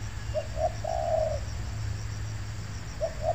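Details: Spotted dove at an oil palm plantation where birds are lured, calling a soft two-note lead-in followed by a long hollow coo, with a fresh pair of short notes beginning at the end, against constant low-pitched background hum.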